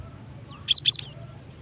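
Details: Brief female cinereous tit lure call: four crisp, high chirps in quick succession, each with a bright whistled edge.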